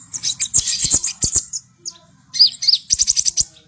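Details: Javan white-eye song played as a lure to get young birds singing quickly: rapid high twittering bursts and sharp chips in two runs separated by a short pause, with light clicks and a low background hum.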